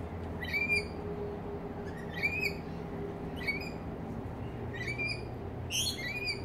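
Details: Rainbow lorikeets eating fruit next to a house in Australia give repeated upswept, ringing chirps in bursts roughly every one and a half seconds, with steady low rumble underneath.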